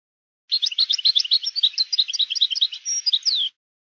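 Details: A European goldfinch delivers maknin song for schooling young birds: a continuous three-second stream of liquid, high twittering notes, a sustained buzzy stretch near the end, and a final falling slur.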